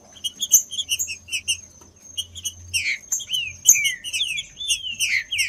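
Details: Green-winged saltator song for stimulating a caged bird ahead of tournaments: quick twittering chirps give way to repeated falling whistled phrases in the second half, with a steady faint high tone.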